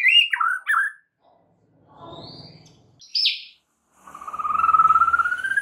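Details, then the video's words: White-rumped shama (murai batu) in full song on a training recording for other shamas: clear whistles bending down and up, a sharp high note, then a long, slowly rising, warbling whistled tone. "MASTERAN MUTAI BATU GACOR , 3 DETIK SAJA DIJAMIN NYAUT SEKETIKA"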